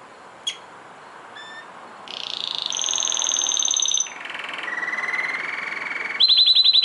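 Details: A hand-tamed canary sings bright, high rolling trills, each held a second or two before jumping to a new pitch, ending in a sharp rapid chatter.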